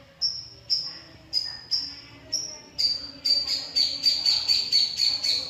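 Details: Long-tailed shrike, known for copying the calls of other birds, sings high whistled notes roughly every half second, then speeds into a rapid run of sharp, bright chirps.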